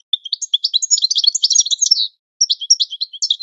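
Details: Training song of a European goldfinch, played to help birds learn. A long, rapid, twittering phrase is followed after a short pause by a second, scratchier burst of high notes.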